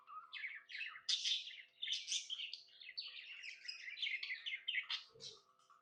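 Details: Happy budgie chirping, a lively, continuous warble of rapid buzzy chirps and twittering notes varying up and down, with a soft thud near the end.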